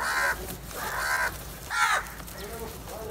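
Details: Black crows in a large flock attacking cheese: harsh, nasal caws in separate bursts, about three loud calls with fainter ones between, over a steady background hiss.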